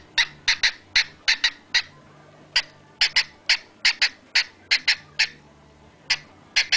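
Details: A male cockatiel singing, giving sharp, bright chirps in quick pairs and triplets, repeated in an uneven string, with human laughter around it.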